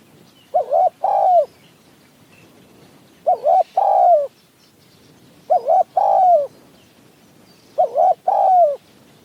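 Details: A caged decoy spotted dove and a wild one answer each other in high mountain forest of Si Sawat, Kanchanaburi, Thailand, during a trapping session. Four soft, hollow three-part coos, two clipped notes then a longer falling one, spaced about two and a half seconds apart.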